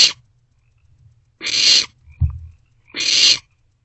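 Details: Nest-box barn owlets at night sharing a meal; harsh breathy screech calls, three bursts about 1.5 seconds apart, with a low bump of movement between them.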